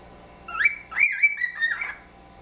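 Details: Two pet cockatiel housemates in a friendly whistling exchange built on wolf whistles with extensions; a rising whistle, then a run of clear, bending whistled notes lasting about a second and a half, trading phrases.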